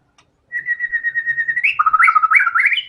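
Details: An actively singing white-rumped shama performing its fill repertoire. A long, even whistled note gives way to a rapid string of loud, jerky whistles that step upward and finish on a high note.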